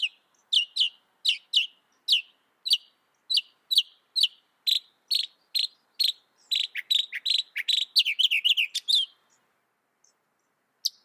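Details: Northern mockingbird singing sharp, high chip notes repeated about twice per second, accelerating into a dense chattering burst before falling silent, with one final chip at the end.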